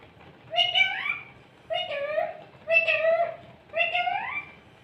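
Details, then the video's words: Parrot talking while sitting in a cup, indoors: four drawn-out, voice-like phrases with a nasal, meow-like quality, spaced about a second apart. "Parrot talking in cup funny"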